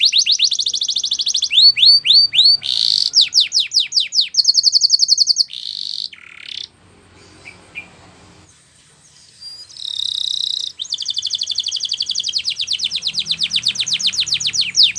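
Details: Spanish Timbrado canary singing for training: rapid descending note runs and a steady rolled trill, a brief pause with scattered soft chirps, then a buzzy burst and a long fast even trill.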